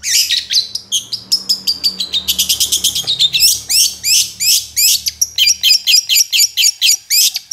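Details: Long-tailed shrike singing actively, a recording meant to lure other shrikes into song: fast, varied high chirps and twittering notes, then a run of quick rising-falling whistled phrases repeated in close succession.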